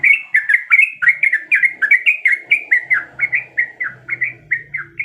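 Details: A female yellow-vented bulbul in breeding condition calls to the male with an even, rhythmic stream of chirped, warbling notes, roughly four each second, clean and clear against faint background sound.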